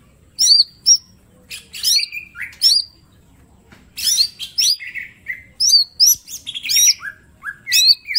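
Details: A small green leafbird delivers varied song: looping whistles, short bursts of sharp notes and falling slurs, with brief pauses between rapid phrases.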